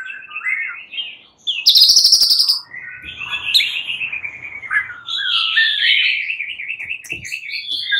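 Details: Several fighter white-rumped shamas sing back at each other in excitement; a loud high chattering burst is followed by long warbled whistled phrases that waver and rise toward the close.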